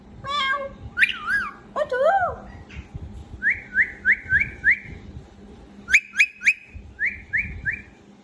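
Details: A pet parakeet whistles clear, looping notes, then gives a run of quick rising-falling chirps about every third of a second, with a faint indoor hum behind.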